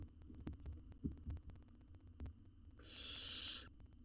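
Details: Nest box owlet, wild, in Israel while being fed a jird: clicks and scuffles, then one long, loud, rasping hiss lasting nearly a second.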